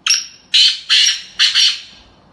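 Black Francolin giving four harsh, grating, high-pitched bursts about every half second, opening with a thin whistled note; no other sounds.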